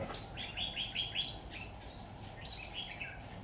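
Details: Decoy red-whiskered bulbul at a hanging trap on 26 October 2019, giving loud clear whistled phrases of quick descending and jumping notes, one phrase after another with brief pauses, sung over faint background hum.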